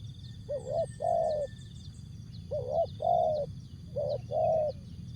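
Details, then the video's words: Spotted dove, Asia, singing the jergot, tapau and bungkus style: three evenly spaced two-note coos, a quick rising note then a fuller sustained one, with thin high buzzing and low rumble behind. "Jergot,Tapau, Bungkus Burung Tekukur/Terkukur"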